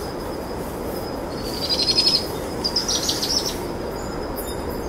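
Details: At dusk, two Powerful Owl chicks being fed a brushtail possum by their mother give high, thin trilling bursts for about two seconds, rising in short pulses, over a steady broad hiss. Their trilling ramps up as dusk arrives.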